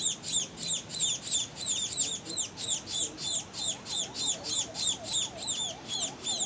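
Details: Two young Scaly-breasted Munias (Lonchura punctulata particeps) begging for food as they fly back into the nest, Tangkoko, Sulawesi, Indonesia, 22 Aug 2014: thin, high squeaky notes about three a second over a faint low hum.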